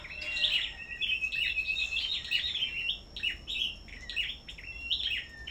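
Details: Caged black-throated bushtits singing against each other at a bird farm: a continuous stream of sharp, high chirps and quick downward-sliding whistles, loud and steady, with a faint constant high whine behind.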